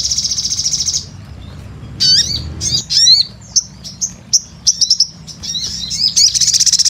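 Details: Crimson sunbird (sogon) singing gacor: a high buzzy trill opens, then after a pause a series of sharp, steeply rising whistled chirps and short twittering notes, ending in another thin rapid trill.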